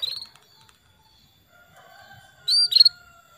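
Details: Female canary calling the male as a lure for singing: after faint twitters and a low steady hum, a single high whistled note breaks off into a brisk stutter of chirps.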